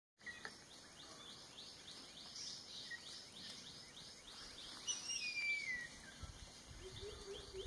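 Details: A newly fledged Jerdon's Baza, one of three fledglings from a nest in Kaeng Krachan National Park, Thailand, recorded 13 July 2021, gives a quick series of thin, high chirps and then one clear down-sliding whistle over a steady insect drone.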